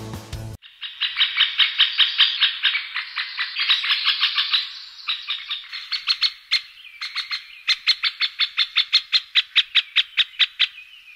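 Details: Middle spotted woodpecker calls or male display sounds: a long run of rapid, harsh, high chattering notes that grow more spaced and clipped toward the end, after a short burst of music.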